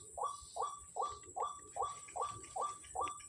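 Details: White-breasted waterhen calling on a Sunday morning at Kepasar, with many birds about: eight evenly spaced, upward-hooked notes repeated roughly every 0.4 seconds, with a constant shrill insect tone behind.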